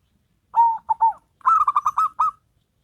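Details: Local and crossbred perkutut in a singing duet: a low cooing note and two short coos, a pause, then a quick run of six clipped, slightly rising notes fading into a soft trill.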